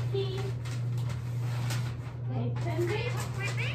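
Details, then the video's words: A pet talking Indian Ringneck parrot (Rose-ringed parakeet) indoors chatters in scratchy, speech-like phrases with a few brief whistled notes, over a steady low electrical hum. "Talking Indian Ringneck parrot"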